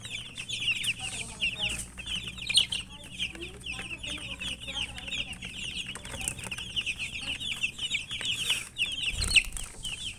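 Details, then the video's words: Chicken chicks eating and calling, rapid overlapping high cheeps in a steady chorus, with occasional louder clicks and a soft low thump near the end. "Murgi chicks Chirping sounds and eating"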